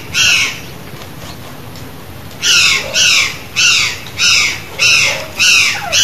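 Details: Wild curl-crested jay from Brazil calling freely in nature: one raspy caw, a pause of about two seconds, then six loud grating caws in steady succession.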